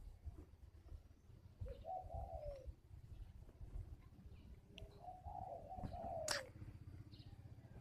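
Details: Spotted dove from a bird garden in Ba Vì, Hanoi, Vietnam, described as wild-caught and a strong decoy bird; two separate low rolling coo phrases with a sharp click and background rumble between them.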